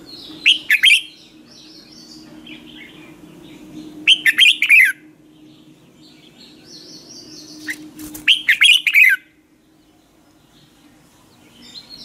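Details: Red-whiskered bulbul singing a morning training song in the hót ché style, kept as a lure bird for stimulating others. Three short bursts of loud, rich, warbled whistled notes arrive about every four seconds, with a faint low hum in the background.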